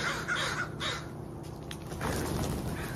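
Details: A few rough crow caws at the start and another near the end, separated by a quieter stretch with background noise.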